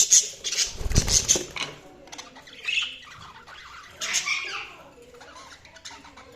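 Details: Pet budgerigars chirping: scratchy, buzzy warbles and short squawky notes in irregular bursts, loudest near the start and again around four seconds, with soft rustling and a few low thumps.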